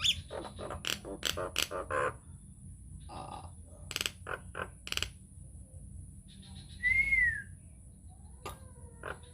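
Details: Nias hill myna singing as a lure to make other mynas sing: fast stuttering clicks and raspy bursts, a brief nasal note, then one strong arched whistle and faint soft notes after.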